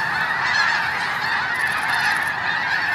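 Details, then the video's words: Snow Geese departing together at Hagerman National Wildlife Refuge, their massed honks merging into an unbroken roaring chorus. "Hagerman Snow Geese"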